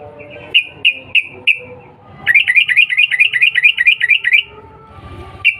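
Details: Provocation call of a sooty-headed bulbul: four spaced whistled chirps, a pause, then a quick excited run of rising whistled notes lasting about two seconds, ending with one chirp.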